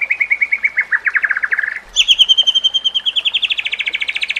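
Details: White-rumped shama song used to train other shamas: a fast even trill of repeated notes, then a higher, accelerating stream of rapid repeated notes lasting several seconds.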